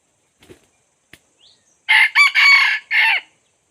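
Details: Faint ticks and a small chirp lead into a loud red junglefowl crow of four harsh segments, the final one falling in pitch, recorded while a decoy draws in wild junglefowl.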